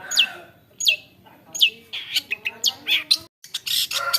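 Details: Long-tailed shrike imitating other birds: three sharp, downward-sliding whistled notes, followed by a run of harsh, scratchy bursts, a brief silence, then more grating notes.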